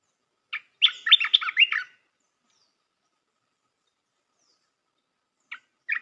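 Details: Red-whiskered bulbul song played to train young birds: a brief note, then a dense, fast chattering warble of tumbling notes, silence, and the phrase starting again near the end.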